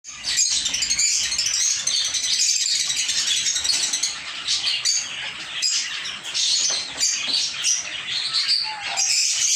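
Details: Lovebirds kept in a small home aviary, a flock chattering nonstop with dense, overlapping, high-pitched chirps and squeaky twitters, brief dips in loudness now and then.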